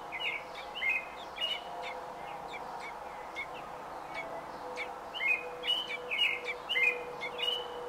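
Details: Robin during nesting, day 28, on 5 June 2018: rapid clusters of clear, slurred whistled notes rising and falling, pausing briefly between bursts, with steady low background noise.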